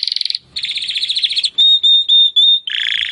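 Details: Singing Timbrado canary, recorded as training material: pulsing rolled trills give way to three sustained pure whistled notes, then a lower, rattling roll.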